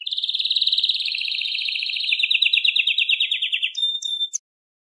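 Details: Atlantic canary song: a long, rapid rolling trill of high notes that slowly falls in pitch, pulsing several times a second, then breaks off into a few brief clipped notes before silence.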